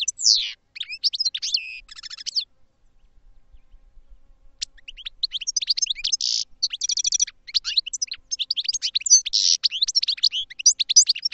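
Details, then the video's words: European goldfinch in a cage for training sings a brief twitter with a buzzy trill, pauses, then launches into a long, fast run of high tinkling, liquid notes and rattling trills. "Goldfinches Singing in CAGES for TRAINING"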